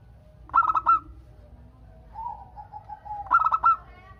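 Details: Local zebra dove in full song, used to prompt other doves to call back: two loud phrases of quick stuttering, mid-pitched coo notes about three seconds apart, with a softer drawn-out coo between them over low background hum.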